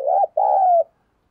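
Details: Close spotted dove coo from a lure recording of coaxing and calling coos: a short wavering note, a brief gap, then a long steady note that slides gently down. Quiet background.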